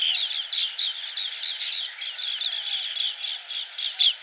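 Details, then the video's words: Green bee-eater's quick high trilled notes come in pulsing groups, rising and falling in loudness, with one louder chirp near the end. "Green Bee Eater Call | বাঁশপাতি পাখির ডাক | Bee Eater Bird Sound | Banspati Pakhir Dak"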